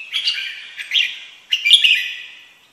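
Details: Red-whiskered bulbul song: two quick bursts of bright, warbling whistles, the second louder with a sharp high flourish, then fading away.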